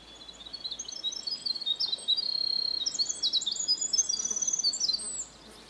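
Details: Winter wren (Troglodytes hiemalis) in northern British Columbia singing a long, tumbling song of high, rapid trills and sweet notes for about five seconds, very similar to the Pacific wren's song.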